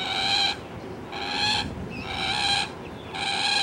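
Common moorhen giving loud, harsh, nasal alarm calls, four half-second bursts roughly one per second, over a steady background hiss.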